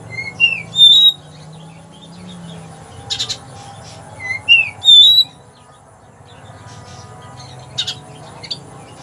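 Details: Oriental magpie-robin, a captive bird in Palembang, delivering sparrow-style 'rasa gereja' song: clear rising whistles and slurred notes mixed with rapid buzzy chirp bursts, in phrases with quiet gaps, over a low background hum.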